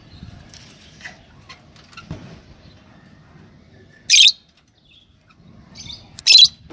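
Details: Two loud, piercing chirps from a yellow Fischer's lovebird pair arrive about two seconds apart after a quiet start with faint rustling.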